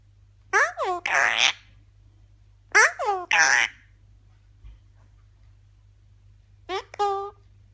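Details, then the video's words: A pet Eclectus parrot talks in short, raspy, human-like phrases, two bursts close together and a brief one after a pause, in a quiet room. "Eclectus Parrot talking"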